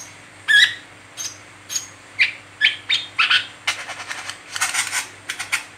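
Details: Captive brown-throated sunbird chirping nonstop, a sound used as a lure to make other sunbirds sing. It gives a run of sharp, high chirps and twitters, speeding into a dense scratchy chatter toward the end, over a faint low hum.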